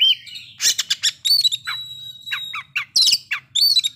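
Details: White-rumped shama song meant to bring on breeding condition and aggression: harsh squawks and clicks mixed with clear whistled notes and a long thin steady tone, irregular and fast.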